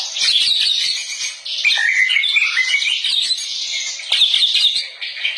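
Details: White-rumped shama (murai batu) recorded as master song for teaching other shamas: an unbroken, busy stream of high chirps, trills and twittering notes that blur together, with a brief dip in loudness midway.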